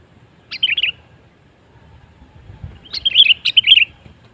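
Sooty-headed Bulbul giving two bursts of bubbly, fluty warbled notes, a short phrase then a longer run of liquid chirps, over a quiet background.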